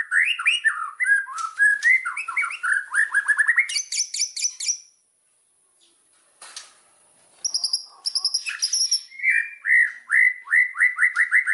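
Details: White-rumped shama from Indonesia delivering a fast run of warbled whistled notes and buzzy trills, a pause of about two seconds, then more high trills and a rhythmic series of repeated whistled phrases.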